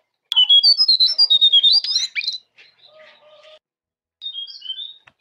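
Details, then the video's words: Jongkangan master song for coaxing caged birds to sing: a loud rapid run of clear whistled notes, wavering up and down, then softer scratchy notes, a pause, and a brief whistled phrase. "Masteran Jongkangan Paling Ampuh"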